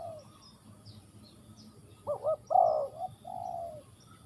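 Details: Cooing spotted dove from Ninh Thuận: after a quiet start come two quick wavering notes, then a strong sustained hollow coo and a softer trailing coo. Faint thin chirps of other birds sound in the background.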